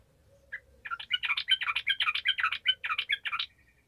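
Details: Sooty-headed bulbul singing in the 'gacor' style, meant to stir lazy bulbuls into song: a steady three-second stream of fast, rich, bubbling notes jumping up and down in pitch, about two or three per second.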